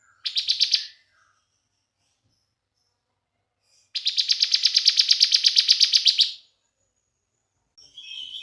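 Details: Young Bar-winged prinia trilling in 'bren' style, played as a lure for other prinias: a short burst of rapid chips, a long silence, then a steady buzzy trill of about two and a half seconds, and faint notes at the end.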